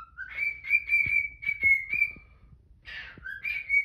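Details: A cockatiel at home sings in the morning, holding a bright whistled note with small wavers, then a Quaker parrot lets out a harsh protesting squawk before the whistling resumes.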